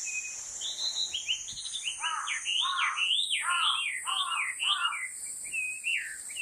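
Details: A Chinese hwamei singing on 7 August 2020 gives a loud, rich run of slurred whistles, swooping up and down two notes per second, over a steady high insect drone.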